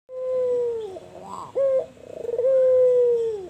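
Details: Albino white dove, a big-voiced cooing bird: a long steady low hooting note, a short burst of rapid rolling pulses, then another drawn-out coo that slides down at the end.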